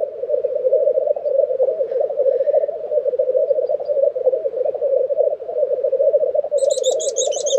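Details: Black grouse lek in Tiveden, Sweden, in April 2023. A steady low bubbling coo runs throughout, and near the end another bird adds a quick series of high, sharp, repeated notes.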